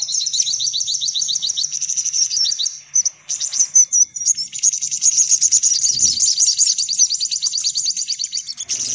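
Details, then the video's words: Sunbirds on a lure track used to attract them: thin, high, rapidly repeated trilled notes, slightly broken in the middle, then a long rich twittering stretch, with a soft low thud near the end. "Suara Pikat Burung Kolibri Paling Manjur"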